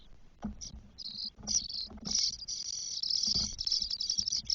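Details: Four 12-day-old spotless starling nestlings begging in the nest in Spain, 1 June 2022: rasping hissy calls building into a continuous buzzing chorus, with thumps and rustling in the nest.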